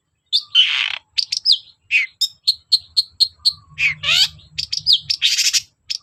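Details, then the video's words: Long-tailed shrike in lively song, played to make reluctant shrikes sing: a harsh buzz, then a rapid series of short sharp whistled notes, a descending slur and dense chatter. "BURUNG CENDET GACOR DOR PANCINGAN AMPUH CENDET SUSAH BUNYI"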